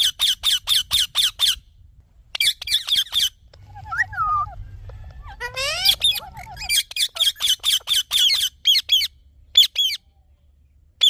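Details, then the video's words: Green parrot giving bursts of harsh, high screeching notes in quick runs of five or six, separated by short pauses, with a few softer, lower sliding whistles in the middle. "Green Parrot Natural Sounds"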